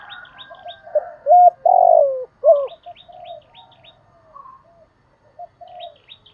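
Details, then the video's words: Spotted dove in the Vietnamese 'hạp bổi' voice style, calling, urging and cooing; low mellow coos in a short run of notes, loudest midway, with thin high chirps from small birds above. "Tiếng Cu Gáy Giọng Hạp BổI [ GÁY GỌI,THÚC,GÙ ]"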